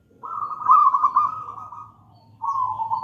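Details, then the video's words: Melodious song of a wild local zebra dove in gedang rojo style, used as a lure: one long rolling, slightly falling trilled coo lasting about two seconds, then a shorter level coo. "Perkutut lokal gedang rojo gacor merdu bird voice"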